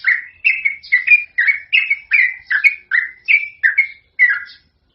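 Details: Lively, long-phrased song of a sooty-headed bulbul used as a lure for other birds; bubbly whistled notes in quick successive bursts, about eleven phrases, pitch wavering up and down, clean background.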